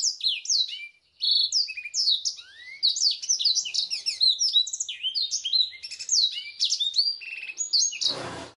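Black-throated canary singing a fast, continuous medley of high twittering, trilled and slurred notes, with a burst of noise at the very end.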